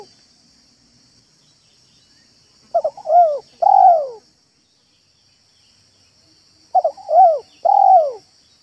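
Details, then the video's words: Spotted dove cooing, a recording used as a lure to attract doves, in 'manggung' and 'meratus' styles: two rounded three-note coo phrases about four seconds apart over a constant thin high hiss. "BALAM AJARAN MANGGUNG DAN MERATUS DI LAMAN ⭐ MEMIKAT BALAM"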